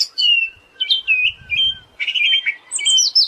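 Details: Siberian thrush singing, meant as master audio for songbirds: drawn-out whistled notes alternating with short pauses, ending in a dense run of chirps and high squeaky notes.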